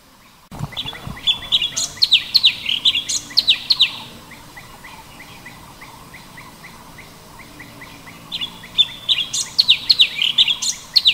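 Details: Sooty-headed bulbul (cucak cungkok) calling in a natural setting by a waterfall: bursts of bright, bubbly chirps in quick runs, a quieter stretch of steady ticking notes between, then another lively burst.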